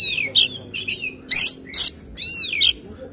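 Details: Oriental magpie-robin 'tembakan' song at a songbird competition, sought by judges: short separated phrases of buzzy high notes and clear whistled slurs, four or five bursts with brief pauses between them.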